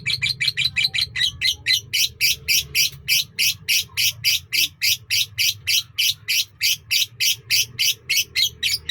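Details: Lovebird in a long-duration singing bout, producing an even stream of harsh, buzzy chirps repeated about three times a second, steady and insistent throughout.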